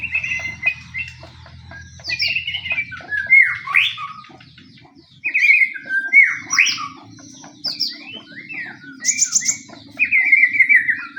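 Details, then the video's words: White-rumped shama of the pastol type in fighting mode, singing a lure song meant to provoke other shamas: varied whistled phrases and sharp upslurs, a brief pause near five seconds, then bright rapid notes over a low steady hum. "pancingan murai pastol tarung murai apapun akan ikut bunyi"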